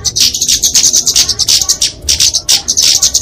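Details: Flowerpecker (kemade) fighting song for tutoring and luring small birds: shrill, high-pitched chips strung into quick bursts, with a short gap near the two-second mark.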